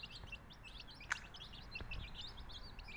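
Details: Many baby chicks of a Tamil country-chicken flock peeping together, a dense chorus of short high downward-slurred peeps, with one sharp click near the middle and low background rumble.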